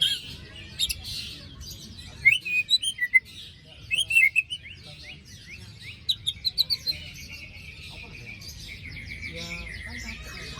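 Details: White-rumped shama singing as a lure for a bird silent since moulting: quick varied whistles and chips in short bursts, then a rapid run of clipped notes and a trailing high warble over background hiss.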